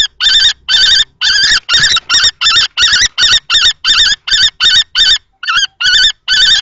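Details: Two male common kestrels dispute a nest box at Théding on 20 March 2024. A rapid, slightly uneven volley of harsh quavering notes, with a brief softer note near the end.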